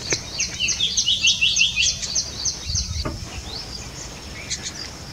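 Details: Golden oriole, also called mango bird, parents feeding chicks at a hammock nest slung between branches: a rapid run of sharp, descending chirps in the first half, then quieter, against a constant fast high ticking background.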